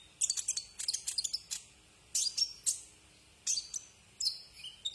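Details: Brown-throated sunbird song as a tutor recording for cage birds: clusters of very high, sharp twittering notes in short bursts separated by brief pauses.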